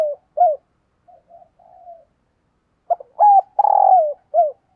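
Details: Morning calls of a decoy spotted dove, urging and cooing to draw in wild birds: soft low murmured coos, then a sharp cluster of loud, bending coo notes ending in a longer falling hoot and a final short coo.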